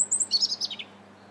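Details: European robin singing on 21 January 2017 in the Linear Park, Bath, heard from a bridge: a brief burst of very high, thin twittering notes that step downward in quick succession, fading out after under a second into quiet background.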